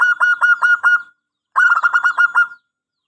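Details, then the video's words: Zebra dove of a local Indonesian strain, singing a long-opening song used as a lure and master. Two quick bursts of short, staccato coos at a steady pitch, about five notes and then eight, separated by a half-second pause. "Perkutut Lokal GACOR !! Suara ANGKATAN PANJANG"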